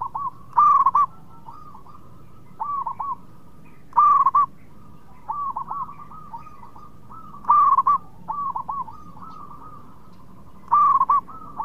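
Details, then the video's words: Lure song of a local zebra dove, meant to make rivals respond quickly. Loud bright cooing bursts recur about every three to four seconds, each followed by softer phrases of hooked notes. "PERKUTUT LOKAL GACOR BIANGANYA PANCINGAN LAWAN CEPAT NYAUT"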